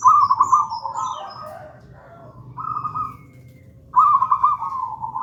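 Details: Zebra dove, local gedang rojo type, singing to serve as lure and master song for doves not yet in song; bubbling trilled coo phrases, a short middle one, then another rolling burst.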